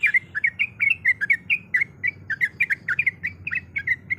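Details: Female sooty-headed bulbul in breeding condition calling the male with evenly spaced bubbly chirps and quick doublets, roughly five per second, over faint low hum.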